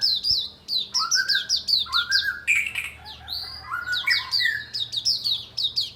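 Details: Oriental white-eye singing on a bright morning: rapid runs of high, thin chirps and twitters, densely repeated, with lower slurred whistled notes woven in midway.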